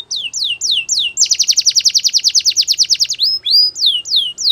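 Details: Canary singing loudly: sweeping downward whistled notes, then a fast rapid rolling trill of about twenty pulses, then more rising and falling whistles, bright and high-pitched with no other sounds.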